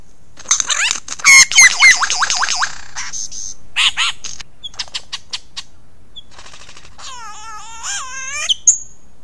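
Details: Australian lyrebird, famed for copying sounds, delivers a varied medley of mimicry: a fast sequence of zigzagging whistled notes, scattered sharp clicks, then a drawn-out harmonic wavering call near the end.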